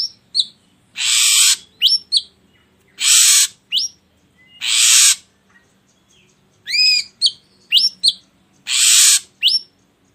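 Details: Ashy drongo singing, a recording meant to lure other birds into song: rasping hisses spaced a couple of seconds apart, separated by clusters of sharp rising whistles and brief chips.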